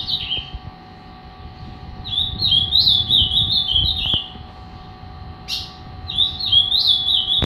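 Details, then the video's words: Angry three-year-old Ultramarine grosbeak of the fibra song style singing two bursts of clear, fast whistled notes that rise and fall, separated by a pause of about two seconds. A steady low electrical hum and faint background rumble run throughout. "Azulão zangado"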